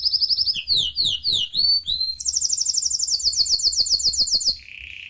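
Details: Canary in the United States singing a varied song: fast high sliding notes, a long bright rolling trill, then a short lower buzzy roll, with faint low background hum.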